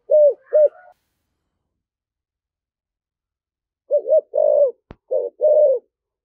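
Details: A spotted dove in the prized 'thổ sấm thúc gù' voice gives two quick, low coos, falls silent for about three seconds, then delivers a fuller run of coos with one sharp click in the middle.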